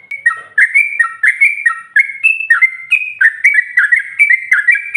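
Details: Female trucukan (sooty-headed bulbul) calling to provoke rival birds: loud, continuous phrases of slurred, whistled notes stepping up and down in a steady, rolling pattern.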